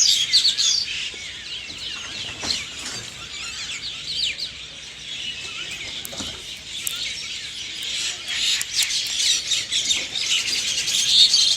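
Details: Birds chirping early in the morning, a continuous high twittering chorus with scattered sharp clicks and chips, swelling louder toward the close.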